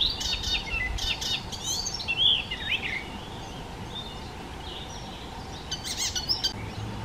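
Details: Icterine warbler, which imitates other birds' calls and songs, giving a rapid burst of scratchy chirps and whistled slurs over the first three seconds, then a quieter stretch before a last flurry of sharp high notes.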